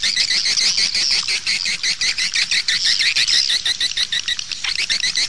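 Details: Playback of swiftlet calls used to draw birds into nest houses: rapid, densely repeated high buzzy chirps, about three per second, in a continuous chattering chorus.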